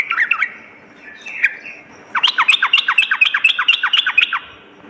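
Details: Sooty-headed bulbul singing at night: a brief scratchy rattle, a pause, then a quick run of about ten sharp downslurred notes with bright overtones, steady and even.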